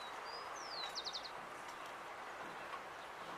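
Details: Rufous-collared sparrow singing in a town in Uruguay: soft lead-in whistles, a clear descending slur, and a crisp trill of four rapid notes, followed by steady ambient noise.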